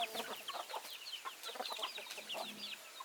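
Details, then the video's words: Several backyard chickens produce a continuous chorus of brief clucks and higher squawky notes, overlapping without pause. "Chicken Sounds, Backyard Chicken"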